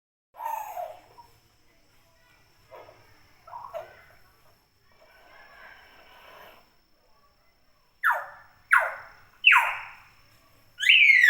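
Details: Natural calls of a talkative common hill myna: scattered short rough notes at first, then a series of loud, downward-sweeping shrieks about a second apart, ending in a high whistle.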